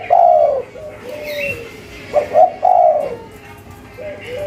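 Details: Spotted dove of a local strain singing in the cetrekan style, giving mellow low coo phrases: quick double notes leading into a longer, slightly falling coo, two phrases with softer trailing notes, faint chirping of another bird behind.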